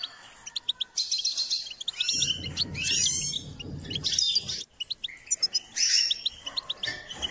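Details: Goldfinch singing during a training session meant to stimulate its song: rapid twittering phrases of high chirps and trills, bursts of tinkling notes with short pauses, and a low rumbling noise underneath in the middle.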